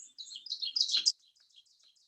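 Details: An Ovenbird sings its song, a "teacher teacher" series that grows louder and louder: about a second of high, bright chirping notes swelling toward the end, followed by faint quieter notes.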